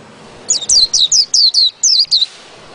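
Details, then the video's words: Short burst of ngerol ngalas song from a white-eye: about eight quick, bright, descending whistled notes packed into under two seconds, loud and clear over a quiet background. "PLECI NGEROL NGALAS"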